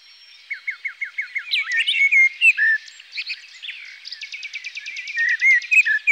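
A thrush sings a run of six quick, downslurred whistles, then varied warbling phrases and a fast, high rattling trill.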